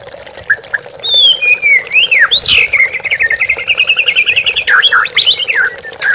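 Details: Lure song of a white-rumped shama, meant to rouse young and reluctant captive birds. It opens with sharp, scattered notes, then swooping whistles and a long, even, rapid trill. Ends in bright, varied chips over gently trickling water.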